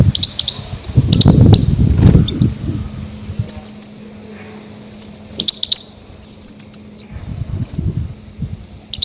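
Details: Goldfinch calls used as a lure for trapping grey-headed goldfinches: loud, high twittering chirps in quick irregular bursts, several per second, with low thumping knocks beneath and a steady low hum.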